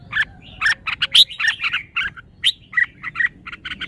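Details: Red-whiskered bulbul delivering song phrasing: a lively string of short chirps and brief upward-swept whistles, unevenly spaced.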